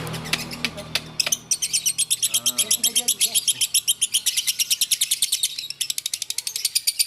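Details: Bawor lovebird from Takengon, Aceh, chattering in a fast, sustained string of shrill repeated chirps, about four each second, with men talking and urging it on in the background.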